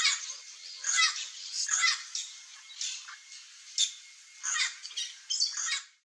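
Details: A pair of chestnut-eared aracaris foraging for wild fruit in riparian forest of central Brazil, giving quick series of harsh, buzzy squawks, some in close doubles, over a constant high background hiss.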